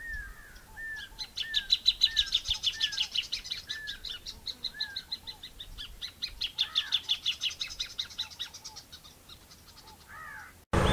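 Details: Plain thornbird delivering a long run of quick, high staccato notes that swell and then taper. Another bird repeats clear downslurred whistles underneath, and a loud noise breaks in at the very end.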